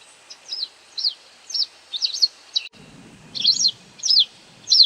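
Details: White wagtail giving calls while feeding on insects: sharp, high chirps with quick downward-sweeping shape, about two per second with short gaps, a faint low rumble in the second half.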